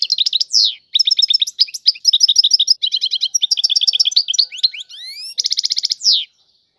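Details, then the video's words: European goldfinch pouring out tiwawati-style song: long runs of rapid, bright twittering, a few rising whistled slurs, then a dense buzzy trill before the song stops. "اعظم تغريد الحسون طيواواطي"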